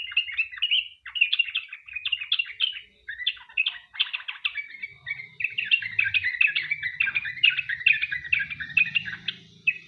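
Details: Sooty-headed bulbul delivering extended rapid song, meant to lure other bulbuls into singing. Quick bursts of chirpy, slurred notes in short phrases, then an unbroken chattering stream over a faint low hum in the second half.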